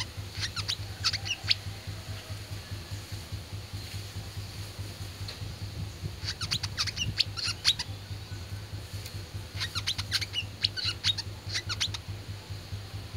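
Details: Oriental white-eye (wiceh) singing in fighting (tarung) style: short, separated clusters of quick, high, thin chirps and trills that come in spurts with quiet gaps between them. A constant low background hum runs underneath.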